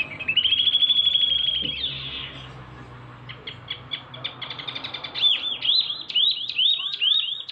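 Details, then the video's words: A male Javan mini wambi, a small local songbird with a big voice, sings loudly and high: one long, steady whistled note, then a chattering trill, then a quick run of bright notes that each swoop up and down. "wambi mini gacor ||| sikecil bersuara besar !!!"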